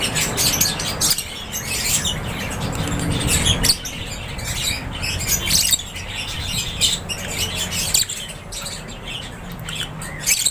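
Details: Aviary full of lovebirds calling at once: rapid, shrill chirps and sharp squawks in irregular bursts that rise and fall over a low background rumble.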